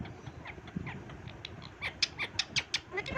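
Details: A pet talking Indian ringneck (rose-ringed parakeet) gives a quick run of short, sharp chirps and clicks that grow louder and more emphatic toward the end, over faint room noise.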